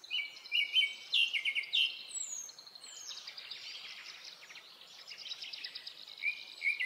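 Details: Japanese thrush singing in a Hokkaido forest in early summer, recorded on a Nikon Coolpix P950: bright whistled notes repeated in quick phrases, then a busy stretch of trills and chirps mixing with other high birdsong.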